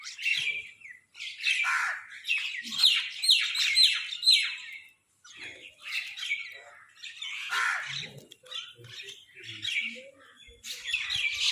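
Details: Crows fighting for food: a chaotic run of harsh, raspy squawks, several birds calling over one another in dense overlapping bursts with brief pauses between flurries.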